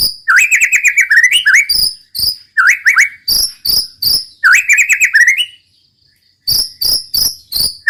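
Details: White-rumped shama in 'roll tembak' song, alternating quick rolling warbled phrases with sharp, clipped high notes repeated nearly three times a second.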